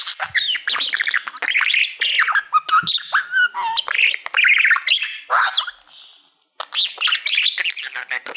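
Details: Pet male budgerigar singing at a silver play button plaque that he treats like a mirror: a dense, fast run of chattering warbles, squeaks and buzzy chirps, with a brief pause near the end before the chatter resumes.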